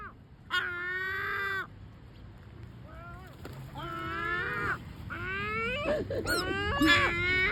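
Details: Complaining calls from great black-backed gulls: a long, drawn, harmonic wail, then a quiet pause, then several overlapping mewing wails that rise toward a louder close.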